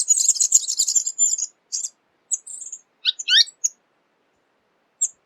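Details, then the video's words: Tanager, one of many colourful Latin American species: a dense, high twittering run for about a second and a half, followed by separate thin whistles, a couple of steep downslurred notes and a final short chip. "SONIDO DE LAS TANGARAS"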